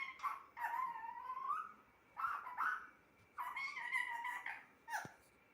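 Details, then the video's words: A pet bird, a parrot, talks in four separate speech-like phrases, nasal and wavering, each rising toward its end, with a short click near the close. "Talking parrot"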